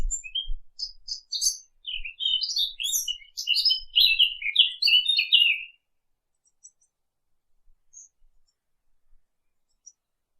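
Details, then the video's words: High, tumbling bird chirps and twitters crowd the first six seconds, with faint low thumps underneath, then fade to near silence with only a few distant tiny notes. "نصف ساعة من صوت العصافير الجميل ، Yarım saat kuş cıvıltısı ، Half an hour of birds chirping"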